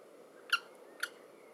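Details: Two short, sharp, high and harsh common kestrel chick calls half a second apart, with rich overtones over a steady low hiss, from young kestrels at the nest as their mother feeds them a mouse.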